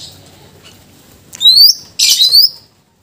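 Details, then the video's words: Greater green leafbird in full song with mimicked filler phrases for tutoring other birds; two loud, clear, rising high whistles, the second paired with a harsh buzzy burst, then silence. "Cucak ijo gacor bongkar isian full Pas untuk pancingan dan masteran"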